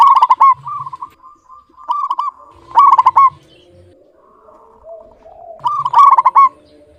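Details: A local zebra dove in full, clear voice gives rapid rolling coo phrases of four or five beaded notes. A loud phrase comes roughly every two to three seconds, with quieter, drawn-out cooing in the gaps.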